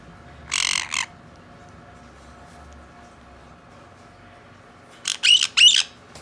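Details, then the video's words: A hand-tame Black-headed caique chick, recorded 18 April 2019, gives harsh, raspy squawks: a double burst at the start, then three quick scratchy calls near the end, over a quiet hum. "ズグロシロハラインコ ヒナ"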